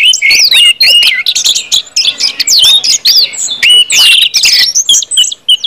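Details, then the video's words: Ngeplong-style song of an orange-headed thrush, played to prompt other birds into song: dense, high, varied whistles and quick swooping notes delivered almost without a break. "KUMPULAN ANIS MERAH NGEPLONG BIKIN CEPAT BUNYI DAN GACOR ANIS MERAH"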